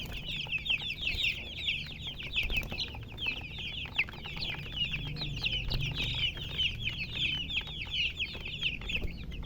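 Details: A flock of colour chickens keeps up constant high-pitched chirping, each note a brief falling squeak, packed densely throughout over a low background rumble.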